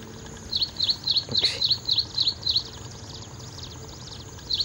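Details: Ashy prinia giving a rapid series of about nine sharp, high chirped notes in an even rhythm, with a brief rustle in the middle, then quiet with faint background hiss.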